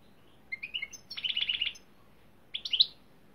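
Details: Singing European greenfinch: short chirps, then a rapid rattling trill of repeated notes, a pause, and a brief twittering phrase, in a quiet setting.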